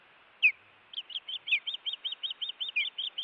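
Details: Osprey at a Montana Osprey Project nest camera, reacting to an intruder at the nest on 16 June 2017: one sharp descending whistle, then a quick run of about fourteen short, high, evenly spaced chirps.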